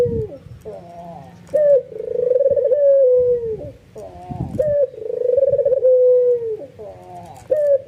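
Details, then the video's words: Albino white ringneck dove cooing excitedly, prompting other doves to join in: two long, level, mid-pitched coos, each led by a few short rising notes, with brief quiet gaps and low background hum. "SUARA BURUNG PUTER PUTIH ALBINO FULL NGANGGUK EMOSI BIKIN PUTER LAIN TERPANCING IKUTAN GACOR"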